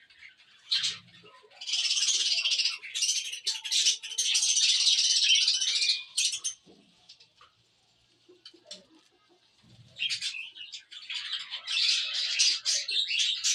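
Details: Cockatiels giving dense, scratchy high chatter in long bursts of about five seconds, separated by short pauses and a near-silent gap before the chatter resumes.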